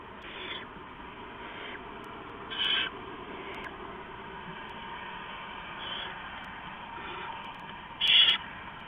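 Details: Owl at night, an adult flying in and out of the nest and bringing rats to its owlets, recorded 4:31–4:40 AM on 15 November 2015; short raspy hissing bursts, with one loud harsh screech near the end over steady background hiss.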